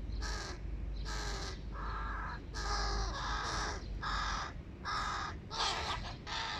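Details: Hooded crow chicks, already large, beg during a family breakfast: a run of eight rough, rasping caws, each lasting around half a second, in a steady series over low background rumble.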